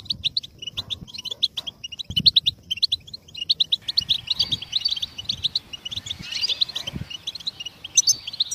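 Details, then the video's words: A goldfinch sings a fast, high, tinkling twitter of bright chirps and short trills, running on without pause, with faint low rumbles underneath. "Goldfinches Song"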